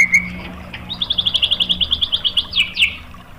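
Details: White-rumped shama lure song for provoking other shamas: a brief whistled note, then a steady run of about fifteen high chipping notes at an even pace, ending in two louder rising notes.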